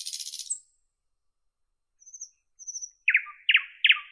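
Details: Nightingale ends a buzzy rattle, falls silent, gives soft high thin notes twice, then three loud sharp chirps about half a second apart.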